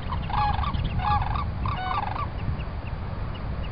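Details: Sandhill cranes at Celery Fields give three loud, rolling, rattling bugles in quick succession, then fainter distant calls, over a steady low rumble of wind or traffic.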